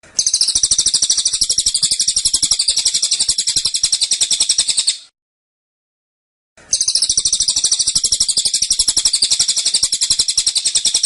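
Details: Tight, relentless 'tembakan' song of a caged cililin: two long bursts of very fast, high-pitched rattling notes, each about five seconds, split by a short silence.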